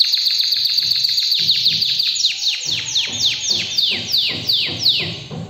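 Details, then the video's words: An excited canary sings a fast, steady run of sharply downslurred whistled notes, several per second, rising slightly then sweeping lower, over soft low rhythmic thumping in the background. "تغريد طائر الكناري اجمل غناء و صوت كناري"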